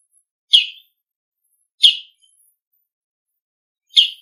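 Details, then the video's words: A bull-headed shrike gives its noisy autumn ground call: three harsh, scratchy, high-pitched calls at uneven intervals of about one to two seconds, against a quiet background. "モズの地鳴き02 秋の風物詩 騒がしい鳴き声"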